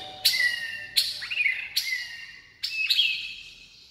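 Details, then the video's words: White-rumped shama song: four separate phrases, each opening with a sharp high note and sliding into a clear whistle that drops and trails away, spaced roughly a second apart. "CHÒE LỬA HÓT KÍCH NỔI NHIỀU DỌNG"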